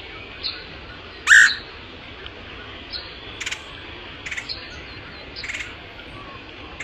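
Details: Woodpecker lure call: a single loud, harsh, buzzy burst near the start, with scattered faint chips and brief notes of other small birds against constant hiss.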